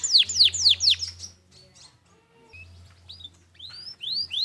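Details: Canary song used to train other birds: three loud downslurred whistles in quick succession, a quiet stretch with soft faint notes, then a few clear rising whistles, over a low background hum.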